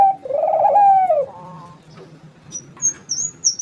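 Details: Barbary dove in strong voice: one long, husky coo that swells and then sinks. A fainter echo-like tail follows, then thin high chirps from another bird.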